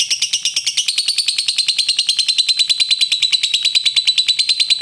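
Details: Lovebird ngekek, a long trill used as a fighter bait to provoke rivals into answering: rapid, steady, buzzy high chatter of about three notes a second, running unbroken throughout.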